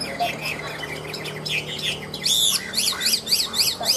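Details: Chinese hwamei, caged ngũ trường singer: scratchy varied notes, then a loud series of arching high notes repeated about three per second, with a faint low hum underneath.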